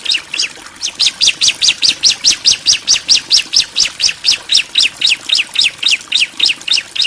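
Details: Bar-winged prinias, a female and male, duetting in reply to each other: a long unbroken run of rapid high chirps, some thirty bright flicked notes delivered at a fast, even pace.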